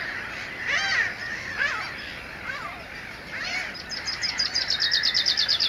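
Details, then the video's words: Mediterranean gulls calling in a mixed colony with black-headed gulls and common terns, Montjean-sur-Loire, Maine-et-Loire, 12 May 2013: loud down-slurred, bowed calls, then a rapid high ticking series of another bird near the end. "Mouettes mélanocéphales (Larus melanocephalus, Mediterranean Gull)"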